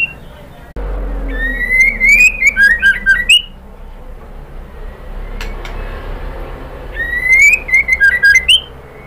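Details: Female white-rumped shama calling the male, used as a lure to rouse males: a long rising whistle followed by a quick burst of clicky, warbled notes. The phrase comes twice, about six seconds apart, over steady low hum.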